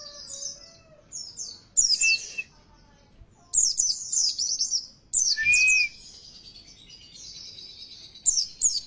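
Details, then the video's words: Oriental white-eye lure song meant to make caged birds sing harder: high, rapid twittering bursts of slurred notes, interrupted by two lower drawn-out whistles, with faint low noise underneath. "Suara Pancingan Ini"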